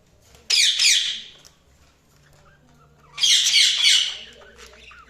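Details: Budgie chatter in two separate bursts about two and a half seconds apart, each a raspy, squawky tangle of rapid chirps lasting roughly a second, with near silence between.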